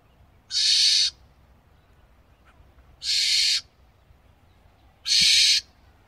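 Barn owl giving three harsh, hissing screeches, each about half a second long, spaced roughly two seconds apart, over a quiet background.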